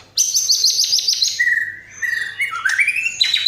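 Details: White-rumped shama song filled with imitations of fighting sparrows, lovebird and kapas tembak: a fast, high stuttering trill, then lower drawn-out whistles rising in steps and a short bright phrase.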